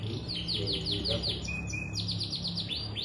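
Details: Canary singing continuously, said to trigger song in other canaries. A string of quick downward chirps, a short low buzzy phrase, then fast trills, over a steady low drone.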